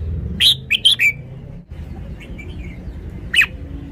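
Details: Caged Red-whiskered bulbul singing a brisk phrase of four clear whistled notes, a pause with faint chirps behind, then a single sharp note near the end; steady low hum underneath.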